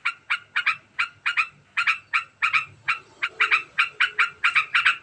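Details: Sustained fast ngekek of a sooty-headed bulbul: evenly repeated harsh, chattering notes, singles and pairs, speeding into tight clusters toward the end.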